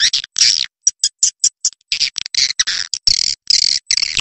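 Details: Edible-nest swiftlet roosting lure: a raspy chirp, a row of short clicks, then harsh buzzy twitters repeated in quick succession.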